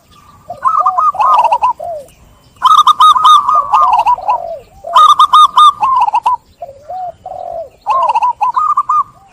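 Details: Zebra dove song with four repeated phrases of lively, rapid trilled coo notes, each ending in softer falling coos, spaced a couple of seconds apart.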